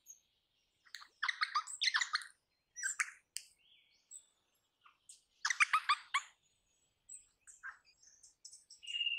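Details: Crimson rosella, an Australian parrot, producing groups of quick raspy chattering notes in bursts, with quieter scattered high chirps between them and a brief whistle at the end.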